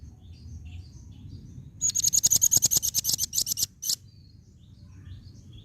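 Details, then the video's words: Female velvet-fronted nuthatch giving a fast burst of sharp, very high ticking chips, about a dozen in under two seconds, with a thin whistled tone at the start; quiet background with faint distant bird notes. "SUARA BURUNG RAMBATAN PARUH MERAH BETINA"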